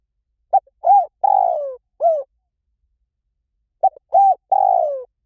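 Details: Spotted dove cooing: two matching phrases, each of a few short low hoots climbing into a longer drawn-out coo that sags in pitch, separated by about two seconds of silence.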